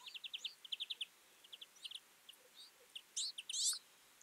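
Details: A flock of Twites feeding in winter, twittering: quick runs of short, high chirps, several birds overlapping, with a louder burst of nasal twitters near the end.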